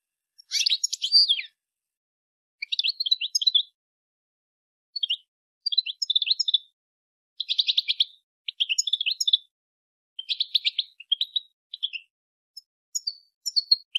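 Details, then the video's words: Calls of a female European goldfinch, given to encourage males to sing and mate: a run of high twittering bursts, quick clustered chirps repeated roughly every second with brief pauses, clean and free of background noise. "بتبتة انثى الحسون لتحفيز الذكور على التغريد و التزاوج"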